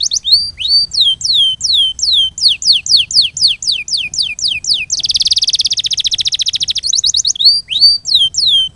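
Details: Canary master song for rhythm training: repeated high falling slurred notes in quick succession, broken by a dense buzzy roll lasting about two seconds, then more falling slurs.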